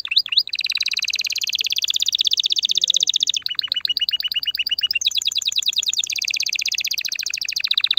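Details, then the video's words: Loud canary song meant to stimulate males and ready females for mating and nest building, made of continuous rapid rolling trills that switch pitch every second or two, with brief dropping notes between sections. "تغريد كناري هائج , لتجهيز الاناث على التزاوج , و بناء العش فورا"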